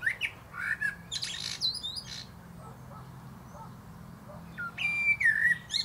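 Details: A male common blackbird (Turdus merula), singing atop a plum tree, gives two phrases, each a low mellow fluted warble ending in a higher squeaky twitter, separated by a short pause, over a faint background hum.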